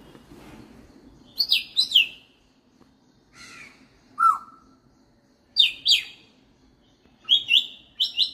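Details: Captive African grey parrot copying other birds: paired high chirps in short bursts separated by pauses, plus one lower falling whistle midway, over a faint indoor hum.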